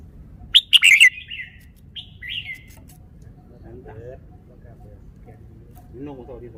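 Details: Red-whiskered bulbul kept in a cage, performing its song style: a loud cluster of sharp, rich whistled notes, then two softer descending whistles. Lower, harmonic calls from other birds follow faintly.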